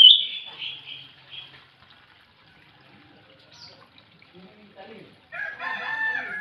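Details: In the morning, a scaly thrush sings a sweet, high whistled phrase, followed by quiet and a rooster crowing.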